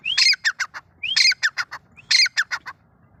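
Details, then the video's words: Grey francolin, the Deccani wild francolin, male and female referred to: three ringing phrases about a second apart, each a rising whistled start then four or five rasping, falling notes, loud and clear over a quiet background. "نر تیتر مادہ تیتر بھورا جنگلی اور دکنی تیتر وائیس"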